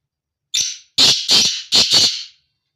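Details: Black francolin (kala teetar) male calling: one strident opening note followed after a short gap by four harsh, buzzy notes in two close pairs. No other sounds are heard.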